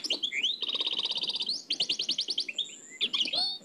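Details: Nightingale song of the Oued El Alleug style, taken from an old cassette recording. Rising whistles lead into a fast, even rattle of repeated notes, then a looser string of sharp chips and swooping phrases.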